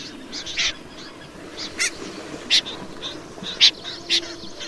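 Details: Snipe giving a few short, harsh, rasping notes spaced irregularly about half a second to a second apart, with quieter calls in between over a steady background hiss.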